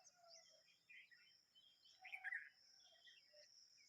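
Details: Short, scratchy chirps from a baby bulbul just out of the nest, loudest in a burst near the middle, over a steady high insect drone and faint other bird notes.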